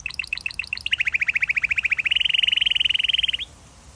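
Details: Canary song: a few spaced chirps open into a long, fast, rolling trill of evenly pulsed notes lasting over two seconds, then stops.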